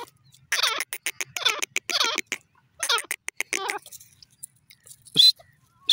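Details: Grey francolin calling, with loud, harsh, rapidly repeated notes in clustered bursts and wavering harmonics. Short quiet gaps separate the bursts, and sharp high squeaks sound near the end.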